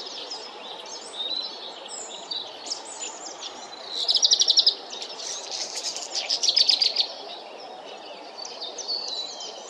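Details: Black redstart (Phoenicurus ochruros) singing: two loud crackling, rattling bursts near four and six seconds, with thin high warbled notes in between and faint chirps from other birds behind.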